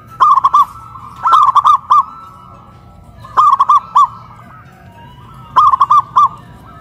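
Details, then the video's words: Local zebra dove in Kuningan, West Java, singing loudly from a cage hoisted on a pole, with big and crystal voice types compared. Four separate phrases of rapid, rolling coos with pauses of about a second between them. "PERKUTUT LOKAL SUARA BESAR VS SUARA KRISTAL"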